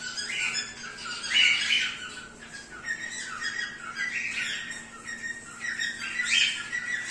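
Zebra finches give harsh, nasal squawking calls in uneven bursts, with a faint steady hum underneath.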